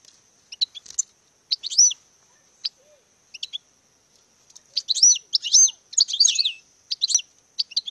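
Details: A European goldfinch in courtship display delivers scattered high chirps, then rapid twittering phrases with sweeping notes and a few buzzy elements, pausing between bursts.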